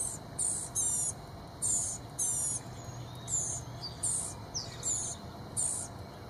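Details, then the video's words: Blue-gray Gnatcatcher chicks begging excitedly as parents approach with bugs: very high, thin, buzzy bursts of about half a second, repeated irregularly, over a steady low hum. "Psyched Blue-Gray Gnatcatcher Chicks | Excitement at the Approach of Bug-Carrying Parents"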